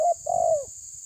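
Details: A short note followed by a long, smooth, descending coo from a spotted dove challenging a rival, set against a low rumble and a steady high hiss.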